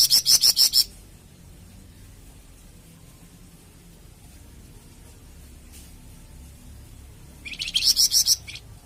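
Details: Flamboyan bird song, used for training captive birds and prompting them to sing: a fast burst of about eight high, sharp repeated notes, a long quiet gap, then a second similar rapid burst at the end.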